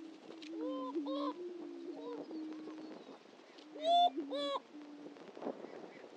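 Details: Greater prairie-chickens at the historic Dunn Ranch Prairie lek in Hatfield, Missouri, giving a continuous low booming drone broken by arched, nasal whoops, with a loud burst of stacked calls around the fourth second.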